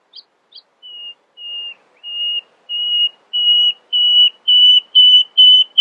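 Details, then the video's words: Early-morning nightingale song built from pure whistled notes. About ten level whistles each grow longer and louder in a steady crescendo, after two short high opening notes. "Nightingale screamed in the early morning, proudly displaying her poetic singing voice."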